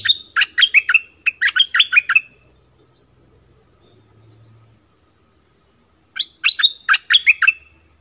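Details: Southern-style Orange-headed thrush song for luring wild birds and teaching young birds: rapid runs of clear whistled and chattered notes, two long phrases early on, then a further phrase after a few seconds of quiet.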